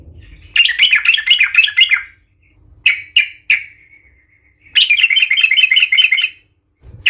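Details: Yellow-vented bulbul in full, agitated 'Tarung Garuda' fighting song meant to provoke other bulbuls: rapid chattering bursts of bright, bubbly notes, two long runs separated by a few short sharp chirps and brief pauses.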